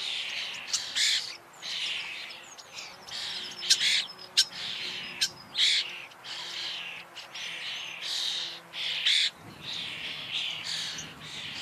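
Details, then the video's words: Common starling (Sturnus vulgaris) in continuous song: rapid jumble of rattles, clicks and buzzy chatter punctuated by sharp whistled notes, irregular rhythm throughout, faint low hum in background. "Sığırcık kuşu / Starling bird / Sturnus Vulgaris"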